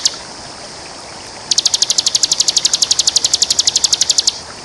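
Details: Bar-winged prinia in champion ngebren song, recorded to train other birds: one lone high note, a pause, then a rapid run of about thirty sharp, high ticking notes lasting nearly three seconds, with soft steady background hiss.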